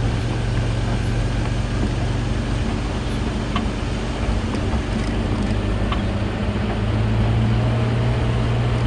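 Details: Constant vehicle engine drone with a low hum and a few faint clicks, with no animal calls heard.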